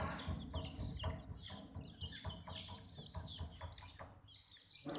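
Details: Baby chicks at drinking water peep in quick, high, falling notes over a steady low rumbling background, with occasional fuller, lower clucking sounds mixed in.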